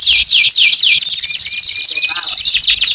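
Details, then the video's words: Canary singing in the long 'gacor' style, used to stimulate canaries that have stopped singing. Three swooping downward whistles lead into an unbroken, quick high trill with a faint lower twitter underneath. "KENARI GACOR PANJANG cocok buat TERAPI KENARI MACET BUNYI"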